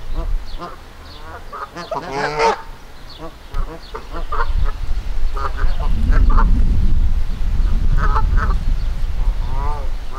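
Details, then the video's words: Angry Canada geese in a Kitchener, Ontario park: honks in irregular bursts, one sharp loud cluster early, then quieter calls partly buried under heavy low rumbling wind or handling noise. "Angry Canada Geese"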